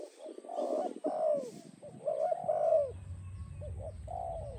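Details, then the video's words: Spotted dove song used for dove training and attraction: overlapping, rolling coos with descending endings, a dense cluster in the first three seconds then two softer separate coos, over a low rumbling background and faint steady hum. "Spotted Dove animal singing sound"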